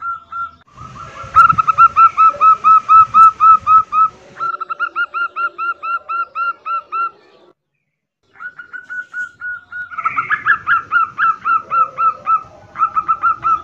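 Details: A female zebra dove in breeding condition calls to attract males in quick, soft, cooing notes, about four a second at a steady mid pitch, in two bursts separated by a short silence.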